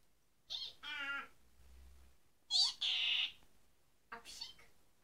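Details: A one-year-old Senegal parrot (Poicephalus senegalus) in Ireland gives three harsh, nasal, two-part bursts, a high squeal dropping into a rough drawn-out bray, mimicking a donkey, in a quiet room.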